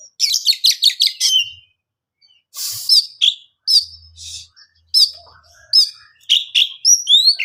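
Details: Oriental magpie-robin singing to get other birds to respond: an opening burst of fast repeated notes, a short noisy rasp, then a sequence of loud looping upswept whistles spaced about a second apart.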